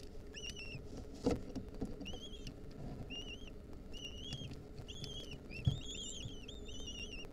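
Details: Wild lesser kestrel nestlings begging as their mother feeds them a mouse at the nest, 2023. Thin, bent whining notes come in quick repeated bursts, sometimes overlapping, over a low rumbling background with occasional knocks.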